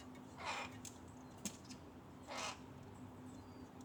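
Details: A young rook begs from its mother with two hoarse, grating calls about two seconds apart over a low background hum and a faint click.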